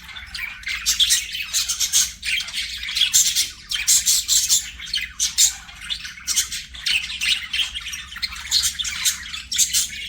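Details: Budgerigars singing and playing, a steady stream of buzzy squawks and chirpy warbled notes in quick clusters, loud and high, continuing without long pauses.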